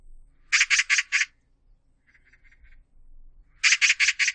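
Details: Magpie chattering in two loud bursts of four harsh, grating notes each, separated by a softer, lower series of short rattling notes.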